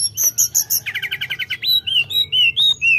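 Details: Sunda robin opening with high buzzy notes, then a rapid stutter of about ten short repeated chips, followed by a series of clear rising and falling whistles.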